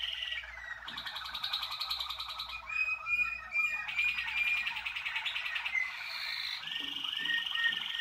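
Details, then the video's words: Varied rolling phrases from Waterslager canaries, 2019: bursts of fast pulsed trills alternate with short gliding whistles, changing tour every second or two. "Kanarki wodnotokowe 2019"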